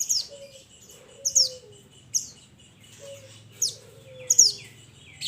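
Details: Pied Bushchat, known locally as mountain mantenan, calling to its companions with clear, high down-slurred chips spaced about a second apart; a faint low drawn-out whistle from another bird sounds between them.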